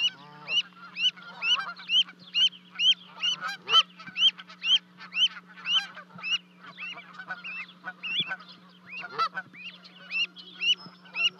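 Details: Canada geese at a 30-foot-high osprey nest in Charlo, Montana, 12 May 2020, as two goslings leap from the nest to join their parents. Rising-falling nasal honks repeat about twice a second over a steady low electrical hum from the livecam.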